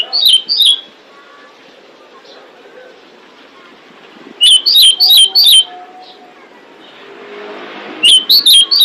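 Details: Female pied bushchat calling to attract males: tight groups of three to five bright, piercing whistles with clicky onsets, separated by several seconds of faint background chatter and a soft rushing hiss.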